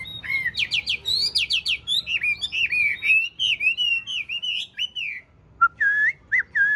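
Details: Chinese hwamei, a tame caged bird with green eyes and a large body, pours out a rich, varied song of fast trills, sweeping whistles and warbled runs, then a brief pause and short looping whistled notes.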